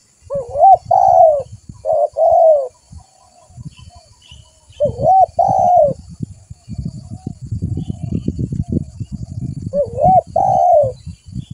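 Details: Spotted dove lure call for attracting other doves: three spaced groups of hollow coos, each a quick rising note running into a longer falling one, separated by stretches of low rumbling noise.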